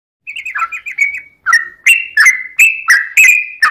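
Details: A Sooty-headed Bulbul song used as a lure to provoke other bulbuls into answering: a quick, long run of bubbly, liquid whistled phrases, each about half a second, tumbling on with no pause.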